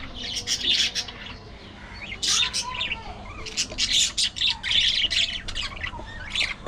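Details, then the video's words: Chattering budgie: bursts of grating, squeaky warble separated by short quieter gaps, with a few thin whistled slides among the harsh notes. "Budgie Moments: Gossip"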